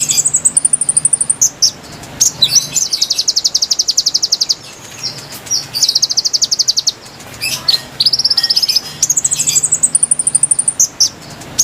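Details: Konin song used as a lure for wild birds: bright, high trills of rapid repeated notes in bursts of about two seconds, some sliding or steady high pitched runs, separated by short pauses with faint low background hum.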